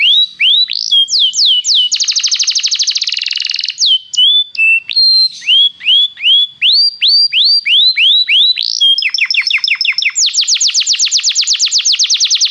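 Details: Belgian canary singing, used to warm up a canary: varied phrases mixing buzzy trills, rising whistled notes repeated about twice a second, and a closing fast high rattle.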